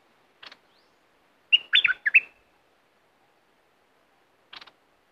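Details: Southern Thai bulbul song used to excite birds for trapping: a single bubbly whistled phrase of four or five slurred notes in the middle, with brief scratchy chirps before and after, otherwise quiet.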